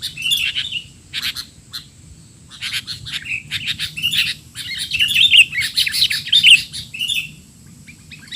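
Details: Sooty-headed bulbul in noisy 'teler' style, recorded for tutoring young bulbuls: spaced single chirps build into a dense, loud stretch of overlapping twitters and whistled notes, then fade back to a few chirps.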